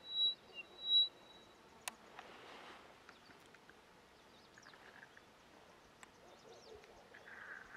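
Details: Upland pipit (Anthus sylvanus) calling at Pangot, Nainital, Uttarakhand, India, 2022: two thin, high notes near the start, then faint scattered chirps against a quiet rural background.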